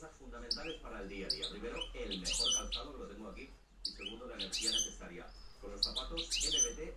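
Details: European goldfinch singing in the campero reclamo style, 2013-2014: bursts of bright high twittering and tinkling notes in two phrases with a short pause between, over a steady low background hum and tonal bands.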